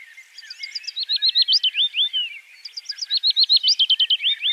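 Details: Willow warbler (Phylloscopus trochilus), song.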